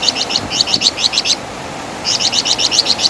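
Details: Flamboyan bird, or Wergan Jawa, in a training track for songbirds; two quick bursts of loud, high, stuttering chatter notes separated by a short silence.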